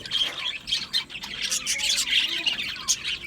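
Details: Squawking and chirping budgerigars crowd an aviary, their loud, raspy calls and bright whistled notes overlapping in quick succession.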